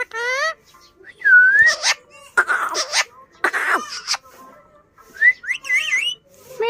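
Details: Funny pet parrot at home copying a cat: nasal meow-like calls, a looping whistled note, harsh raspy bursts, and twisting whistles, ending on another short meow.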